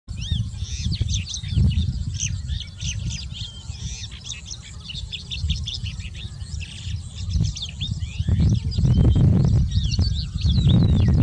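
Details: Tawny (Sykes's) lark singing in India: a fast, continuous jumble of twittering, chirping and trilled notes, high and varied, over strong low wind rumble that grows louder near the end.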